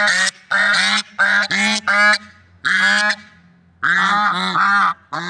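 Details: Swans described as a loving couple, outdoors in nature, giving loud nasal honks in quick bursts, about eight calls in five seconds, some short and clipped, others drawn out and slightly rising.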